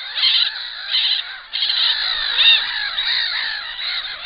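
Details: Black-winged stilts at their nest, which holds an enlarged clutch, giving harsh, yelping calls in loud bursts roughly every half second, broken by short quieter gaps and then running almost continuously.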